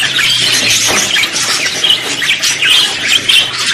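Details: Budgerigars in a mix of simple songs, contact calls and courtship songs. Sharp, high chirps and squawks repeat quickly over a dense, continuous warbling chatter from several birds.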